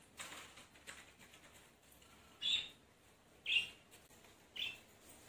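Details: Pet lovebird being lured back into its cage indoors, giving short high chirps, three clear bursts about one second apart in the second half, with soft tapping and rustling between.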